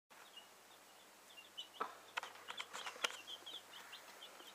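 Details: Many young chicks peeping together: short high chirps scattered through the clip, softer at first, then thicker and louder toward the middle, mixed with a few sharp clicks and taps.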